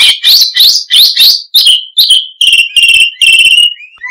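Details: Oriental magpie-robin (kacer) pouring out loud ngoceh gacor song: dense repeated buzzy, scratchy phrases about every third of a second, shifting into rich trilled whistles held steadily, all close and intense.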